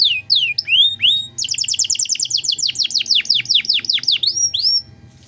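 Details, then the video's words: High canary song in 'cengkok mewah' style, meant for teaching untrained songbirds: a few swooping whistles open into a long, rapid series of descending chirps before fading to quiet. "Masteran Kenari Gacor Cengkok Mewah untuk Burung Bahan"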